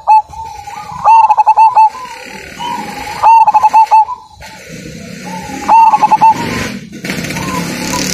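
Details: Majapahit zebra dove with a big voice, cooing strongly: a smooth opening note followed by a quick run of five or six hard, throbbing coo pulses, given three times, with faint background noise between phrases.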